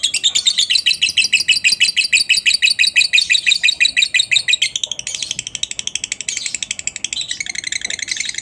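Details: Long ngekek from a lovebird, a lure meant to set other lovebirds singing: an unbroken, rapid, shrill chatter of about three pulses a second that shifts slightly in pitch partway through.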